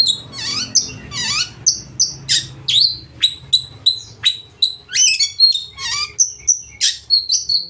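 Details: Loud full-repertoire oriental magpie-robin song that provokes rivals into singing and spreading their tails; steady string of high whistles, swooping downslurs and brief buzzy phrases, roughly three to four notes per second.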